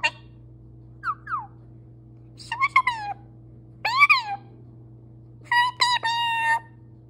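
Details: Pet parrot, male, voicing a string of varied speech-like sounds: a small falling whistle, then buzzy harmonic syllables and a long level tone, over a low droning hum.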